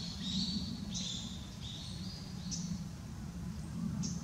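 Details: Short high call notes from a Japanese tit, noticed by its calls on 20 November 2016 after a bath, recorded with a Nikon COOLPIX P900; brief thin notes come roughly every second or so above steady low-pitched background noise.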